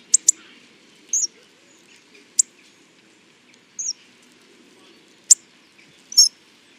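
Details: Hawfinch calls: sharp, explosive high clicks, singly and in a quick pair, mixed with short, thin, slightly falling whistles, spaced irregularly a second or more apart in a quiet setting.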